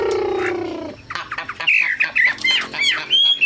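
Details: A low droning tone fades out, then a Chinese hwamei bursts into sharp, jumping whistled notes and quick slurred phrases.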